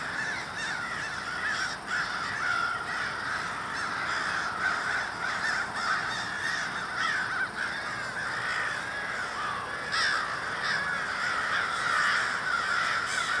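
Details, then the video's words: A large group of crows in Minneapolis, Minnesota, on 20 February 2020, cawing together in a dense, continuous chorus of harsh overlapping caws that never lets up across the recording. "A Murder of Crows"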